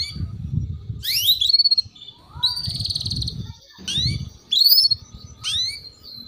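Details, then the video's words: Chirping of a female canary played to get young males singing: scattered rising chirps and a buzzy trill, separated by pauses, with low rumbling noise throughout. "PANCINGAN Kenari BETINA Cuit Cuit || MASTERAN Kenari PAUD Agar Cepat Bunyi"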